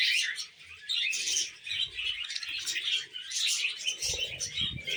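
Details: A group of budgerigars chatters while eating vegetables, a thick mix of high chirps and scratchy warbling, with some low bumping and handling sounds toward the end.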